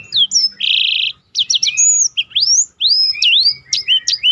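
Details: Rolling black-throated canary song meant for training competition birds: a buzzy flat rattle, then rapid repeated notes and swooping whistled slurs delivered in quick bursts.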